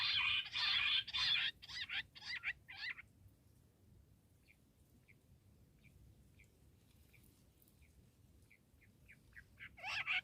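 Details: Bush quail calling: a run of loud, harsh, rapid chattering bursts for about three seconds, then a long series of soft, short chirps spaced roughly every half second, ending with another loud burst.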